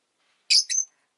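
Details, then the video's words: One short, shrill double chirp from a pet rosy-faced lovebird, the second note sliding into a brief high whistle-like tail. "Lovebird Chirping Sounds"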